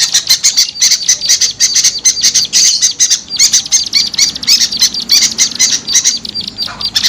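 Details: Small birds chattering in a lure recording for small birds: dense, high, scratchy chip notes in fast irregular runs, continuous across the clip with no other clear sounds.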